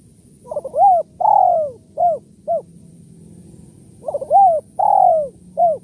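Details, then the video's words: Spotted dove call used as a lure for trapping doves, in the kuk 1-2 style: two bursts of mellow cooing notes, each a quick stutter, two long swelling coos and a short final coo, over low background rumble. "suara tekukur kuk 1-2 // pikat tekukur"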